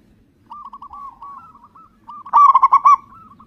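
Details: Loud local zebra dove from Indonesia, singing as a lure to set other doves calling: soft wavering coos drift along for two seconds before a sudden powerful burst of five quick rolling coos, then quiet notes trail off.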